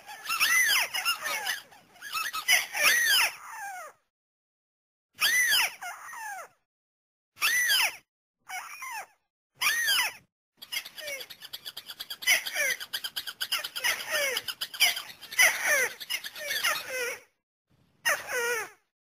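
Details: White-browed crake calls used as a hunting lure for nets and snares: dense runs of squeaky, descending, overtone-rich notes, partly overlapping in a busy stretch midway, then breaking into separate bursts.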